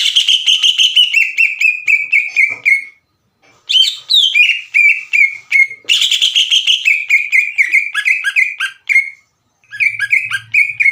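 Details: Loud lure song of a green leafbird, aimed at making untrained leafbirds respond: bursts of rich, rapid whistling with quick descending notes, broken by two short silences, and a faint low hum near the end.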